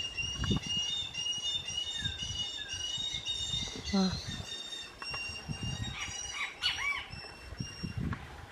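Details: Young Southern crested caracara calling to its parents for food: long, thin, high squealing notes held almost steadily through the clip, with brief rising-falling slurs around the middle and end, over low rumbling background noise.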